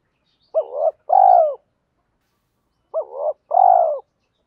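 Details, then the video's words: Spotted dove used as a decoy, calling to attract wild doves. Two mellow cooing phrases about two seconds apart, each a short wavering note followed by a fuller drawn-out coo, against silence. "chim cu mồi gáy gọi - thúc"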